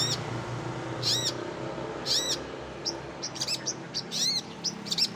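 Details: Songbird calls from a compilation used for training contest birds: loud arched, harmonic-rich whistled notes repeated roughly once a second, interspersed with short sharp chips and clicks over a noisy background.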